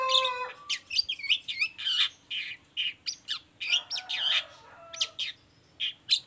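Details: Long-tailed shrike recording used as a lure to make other shrikes answer: a fast varied song of harsh chatters, high squeaky notes and mimicked phrases, bursts repeated several times a second.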